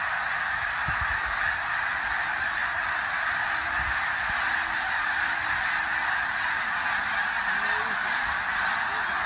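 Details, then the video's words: A huge migrating snow goose flock taking off at sunset: a massed roar, a dense continuous chorus of high nasal barking honks, with a few faint human voices underneath. "Snow Geese Migration *EXPLOSION* Sunset Take-off"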